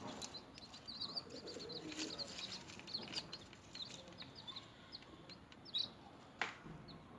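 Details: Newly hatched chicks feeding, many birds giving thin high peeps in quick overlapping bursts, steady chatter with soft clicks and scratching noises beneath.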